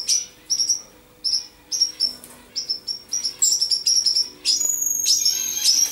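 Common Chaffinch: a few sharp, high chips, then a fast, bright run of notes that thickens into a rattling, cascading phrase. A faint low hum sits beneath.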